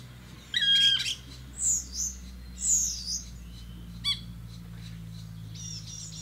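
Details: Black woodpecker (Dryocopus martius), a mother busy with three chicks in the Danube Delta, Romania, in June 2018: a short, harsh, scratchy note, then two thin, very high squeals about a second apart, with a sharp knock and a steady low hum.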